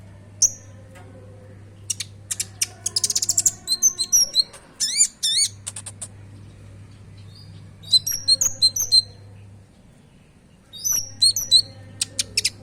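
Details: Konin (oriental magpie-robin) song used as a lure to get caged birds singing, with rich varied fill-in phrases: sharp high whistles, rapid chattering trills and buzzy notes in bursts separated by pauses, over a steady low hum.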